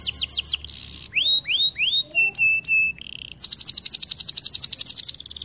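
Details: Canary song for training. It shifts between tours: a rapid buzzy trill, curved whistled swoops, steady ringing notes, and a long quick chattering roll of bright repeated elements.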